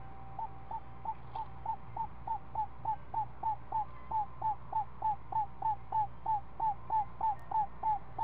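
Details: Screech owl at the nest with a seven-day-old owlet, fed snake in the afternoon: short hooked mid-pitched notes repeated about three times a second in a steady run, over a low hum.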